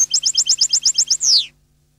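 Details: Goldfinch song: a rapid run of about ten identical high, clipped, liquid notes, each a quick upward flick, ending in a long buzzy downward-sweeping slur; faint low hum in the background.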